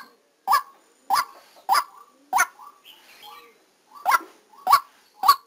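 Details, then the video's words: Decoy white-breasted waterhen heard live while trapping: rasping honk calls repeated about every 0.6 seconds, a brief pause after four calls filled by softer, faint chattering notes, then three more loud honks. "Tiếng Quốc Mồi Ghi âm trực tiếp lúc đánh"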